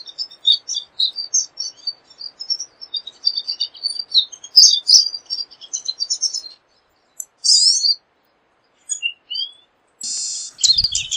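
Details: Pine siskin singing a busy, high twittering run of quick chirps, broken by a harsh buzzy note near the end and a short, drawn-out wheezy buzz.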